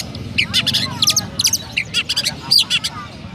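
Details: Oriental magpie-robin kept in Pemalang, Central Java, Indonesia, delivering its 'rasa gereja' song imitating a sparrow: dense run of sharp, high-pitched chirps and twittered notes, several per second, with a constant low rumble beneath.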